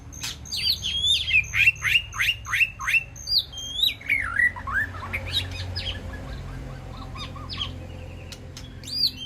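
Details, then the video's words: An aviary White-rumped shama communicates with its flock in a fast series of loud, sharply down-slurred notes, about three per second, followed by lower, fading whistled phrases and a final high note. "Sound of White-rumped Shama Call to Flock"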